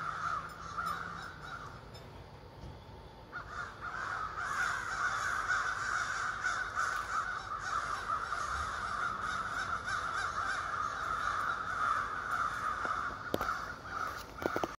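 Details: Ravens, a flock of more than thirty living in trees across the street, at morning: a long, dense din of harsh overlapping croaks, briefly quieter near the start, with a few sharp clicks near the end.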